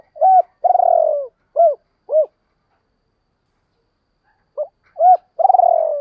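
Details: Spotted dove cooing, edited as a lure to stir wild doves: short arched hoo notes, then a long throaty purring coo that sags in pitch, a pause, then the phrase again. No other sounds.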